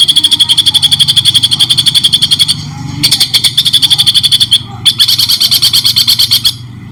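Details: White-rumped shama in a clear training recording for songbirds, with pauses: long, fast rattling runs of buzzy high notes, about three a second, cut by two short silences, over a low steady hum.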